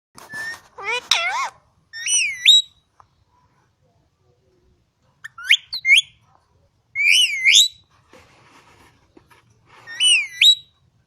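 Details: Green rose-ringed parakeet, a talking parrot kept at a farm in Quetta, giving short bursts of clear, wavering whistled notes that rise and fall, separated by pauses of a second or more, with quiet surroundings.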